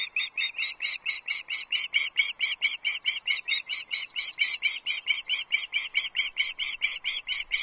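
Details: Loud, unbroken run of piercing whistled cheeps, about two per second, from the Loch Arkaig osprey nest on a June 2024 morning while the male delivers a small trout to the chicks, captured by a nest livestream camera.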